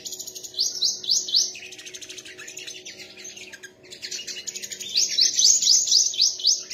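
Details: Song contest between sunbirds: fast ringing trills of sharply repeated high notes, several bursts in a row, the loudest and densest near the end.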